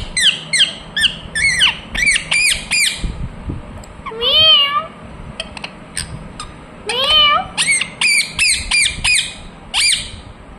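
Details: Ringneck parrot known as a talking bird: quick harsh squawks at the start and end, and in the middle two long, wavering, meow-like tones that slide down and up.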